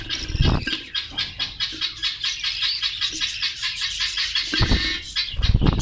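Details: Australian parrots in a colony in Karachi keep up a continuous high twittering chorus that swells and fades in quick pulses, broken at the start and end by dull thumping knocks.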